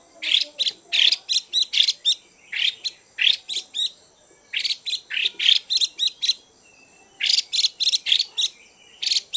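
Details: Stimulating call of a female Chinese hwamei: energetic, rasping notes fired in fast clusters of three to six, separated by short gaps, with soft background twitters.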